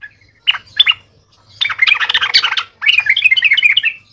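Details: Sooty-headed bulbul kept as a lure bird, singing in a lively, energetic way: two short chirps, then two dense bursts of rapid, jumbled chattering and warbling notes, each lasting about a second.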